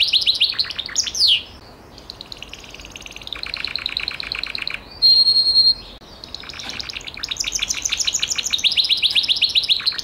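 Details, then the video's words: Gloster canary song in several bursts of rapid trilling separated by brief pauses, including one pure, steady high whistled note held for about a second. "CANARIO GLOSTER - Descargate el audio para tu canario."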